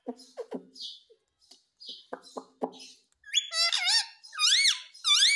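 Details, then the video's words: Ringneck parrot in India talking, mimicking "mummy papa": low clicking and ticking sounds open, followed by several strong, rising-and-falling harmonic syllables in quick succession. "Mummy Papa Bolne Wala Tota || Talking Parrot || Sweet Ringneck Parrot Talking"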